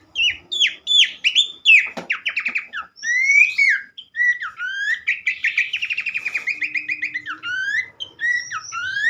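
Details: Abbott's babbler song of sharp descending notes, clicking trills and long upslurred whistles, with a short steady low tone in the background. Played to get other babblers singing.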